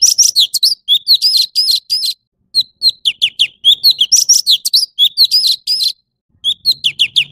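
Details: Orange-bellied leafbird pouring out rapid, varied whistles, some dropping sharply, others buzzy, in phrases a couple of seconds long with short silent breaks; quiet background.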